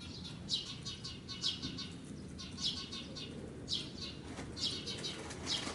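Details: Eurasian tree sparrow parent acting as a decoy for its fledgling, which sits on a parked bicycle, and moving between a block wall and an outdoor air-conditioning unit. Bright, clipped chirps come in short clusters about once a second over a steady low rumble.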